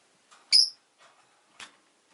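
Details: A single sharp, piercing chirp from a pet rosy-faced lovebird, one of two new birds, followed by a fainter short chirp about a second later in an otherwise quiet room.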